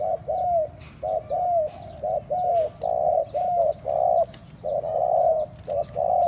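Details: Lure call of a spotted dove, used to excite other doves: a rapid string of short, mellow coo notes, some slightly rising then falling, roughly one per second, over faint background chirping.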